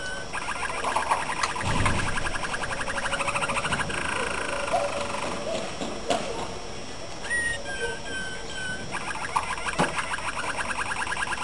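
A Malinois canary sings rolling, rapid trills and a few clear, low whistled notes against steady background hiss and room noise.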